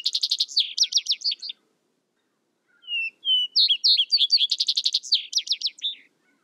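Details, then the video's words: A vesper sparrow ends one song with a dense rapid trill, falls silent, then starts again with two plain whistles climbing into chirps and another fast trill. "Vesper Sparrow Bird Sound Bird Song Bird Calling, Chirps"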